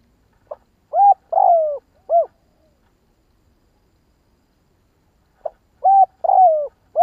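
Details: Spotted dove giving a 'kích bổi' stimulating call, two phrases each of a short soft lead note, a level coo, a longer falling coo and a final arched coo, separated by about three seconds of silence.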